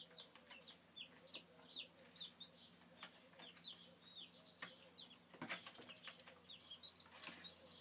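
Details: Young chicks giving rapid strings of high, down-slurred peeps, some doubled, alongside rustling, scratching and a brief loud clatter midway.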